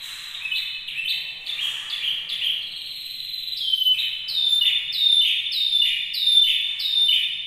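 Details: Canary singing as a model song for training other canaries: varied bright chirps and trills give way to a loud run of repeated down-slurred whistled phrases, about two per second, high and clear.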